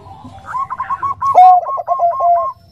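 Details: Bangkok zebra dove hen calling for a male in the gentle nutut style. Rapid chuckling coos build to a strong ringing note, followed by a string of even, rounded notes that fade out.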